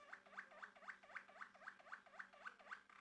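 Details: Male Malinois Waterslager canary in song, repeating one hooked, gurgling note about four times a second in a steady, rhythmic tour, with a faint low hum behind it.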